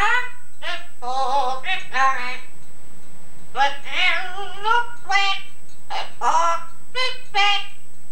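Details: Pet Yellow-naped Amazon parrot, male, copying a woman's singing voice and Scouse accent on an old tape: a run of short, voice-like sung and spoken syllables with a pause midway, indoors.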